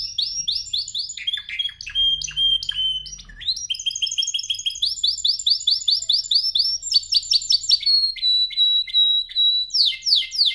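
A canary pours out a long, high, varied song of rapid rolling trills and repeated chirps, with brief pure whistled notes; a faint low rumble sits underneath.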